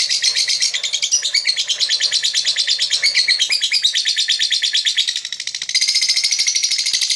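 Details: Chirping lovebird, said to draw other birds: dense, rapid, scratchy high-pitched chirps in an unbroken chatter, briefly softer near the five-second mark before resuming loudly.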